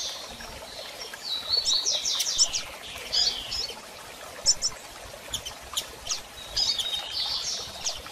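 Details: A female Double-collared seedeater calls repeatedly, used to get a male singing again after moult; high, slurred chirps and brief twittering clusters come in irregular bursts over soft hiss.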